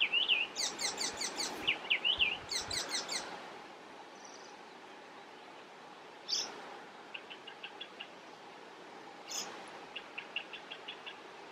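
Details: Icterine warbler singing in Västerbotten on 27 June 2021: a fast, varied jumble of high chattering notes, squeaky whistles and mimicked phrases, given in bursts with pauses between.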